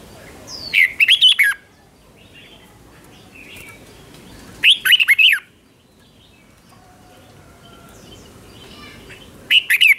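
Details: Red-whiskered bulbul giving doubled 'berl' style phrases meant for young birds to copy: three short bursts of quick wavering whistled notes about four seconds apart, separated by quiet stretches with faint softer chirps.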